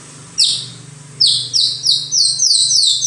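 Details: White-rumped shama giving a single high descending note, a pause, then a rapid run of sharp down-slurred chips repeated steadily, with a low background hum.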